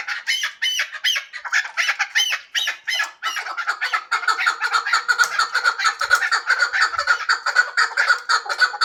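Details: Hybrid chukar partridge calling. Several loud, ringing, harmonic notes come first, then a fast, steady run of clipped clucking calls at roughly two per second.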